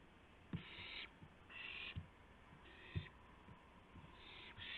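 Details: Owl filmed at 2:51 AM on April 2, 2016, around a gopher delivery; breathy screeching hisses roughly once a second, interleaved with sharp low thumps and clicks of movement.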